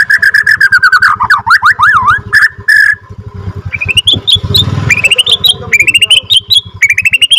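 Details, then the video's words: Borneo F2 white-rumped shama lure song: a long run of clear whistled notes, then rapid swooping V-shaped slurs, followed by quick rising whistled phrases, with a constant low buzzing hum throughout. "MURAI BATU BORNEO F2 NGRROLL PANJANG AUTO BIKIN MURAI LAIN GAK BISA DIEM IKUT EMOSI"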